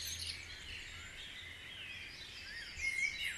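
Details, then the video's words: Dawn chorus at Guisborough: many birds twittering and warbling at once in a dense high-pitched wash, with a clearer thin whistled phrase near the end and a low steady hum underneath. "Dawn Chorus#3"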